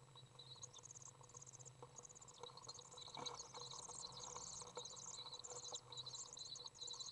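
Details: Three young common swifts in a nest box as the second parent returns to feed them, recorded 22 June 2011: faint, rapid, high thin chirping runs on almost without pause, over a low steady hum.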